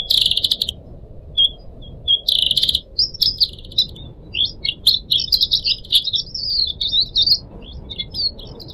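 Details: Pied Triller kept as a caged pet, recorded for a training tape: a few harsh buzzy bursts and short notes open the clip, then a long steady chattering twitter of rapid high notes follows.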